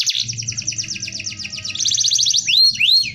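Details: Canary singing a dense rolling song as a tutor: a steady rapid trill pulsing about every tenth of a second, quickening into a finer roll, then two loud looping whistles.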